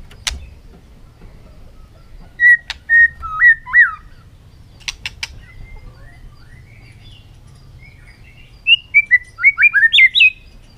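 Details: White-rumped shama in contest song in the afternoon: sparse short whistled phrases of looping notes and scattered sharp clicks, separated by long pauses, then a fast warbled run near the end.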